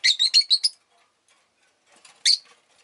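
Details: Pet rosy-faced lovebirds, a household group that was chirping fairly often that day, give a quick run of five shrill, high chirps. After a pause come faint twitters and one more sharp chirp.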